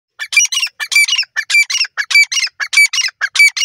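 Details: Wild grey francolin (teetar) calling: a fast, unbroken series of loud, harsh, squawking notes, mostly in close pairs, repeated about every half second, with no other clear sounds behind them.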